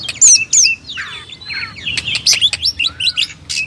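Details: Loud oriental magpie-robin (kacer) song for masteran: piercing high whistles open the phrase, then a downward slur and a run of crisp chips and squeaky notes.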